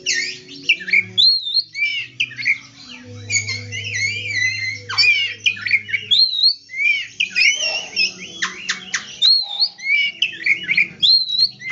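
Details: White-rumped shama song used to stimulate silent or reluctant shamas to sing: varied loud whistled phrases, rising and falling slurs and chattering notes in quick succession, with a low steady hum underneath.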